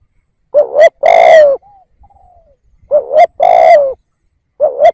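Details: Decoy spotted dove luring wild doves, calling in quick succession: two full phrases of a rising double coo and a long burry coo, a third phrase starting at the end, soft faint notes between.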